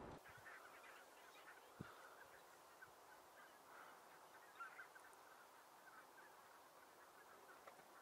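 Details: Large flock of Greater White-fronted Geese with some Barnacle Geese, standing in a snowy meadow near Alblasserdam. A faint, steady chorus of overlapping honks and cackles from many birds blends into a continuous murmur.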